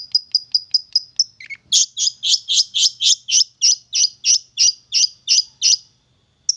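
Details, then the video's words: Young long-tailed shrike from the wild, tamed for about three months and now singing often: a run of short high notes, then a long series of loud harsh rasping notes, evenly spaced. "Burung Cendet Muda Hutan Sudah Jinak Dan Gacor"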